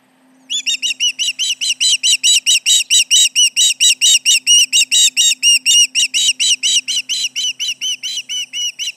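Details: Osprey at the Charlo nest on 29 July 2019, late morning, calling in alarm at intruders nearby: a long run of loud, high, piercing whistled yelps, about two per second, sharp and evenly spaced for nearly nine seconds.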